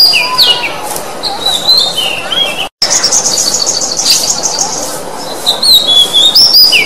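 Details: An Oriental magpie-robin sings a varied run of high, clear whistles, slurred notes and rapid chattering trills, with a brief gap midway; the song is used as a lure to prompt magpie-robins that have stopped singing.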